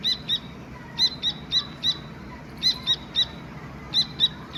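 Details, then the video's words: Young Dakni teetar partridge chirping: high, piercing notes delivered in pairs and small clusters, spaced irregularly about every second, over a soft low-pitched hum. "Chirping Sound of Dakni Teter Baby"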